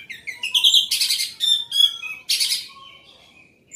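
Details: Orange-headed thrush singing loudly, mixing clear whistled notes with harsh, buzzy bursts and rapid chatters in a varied, energetic phrase.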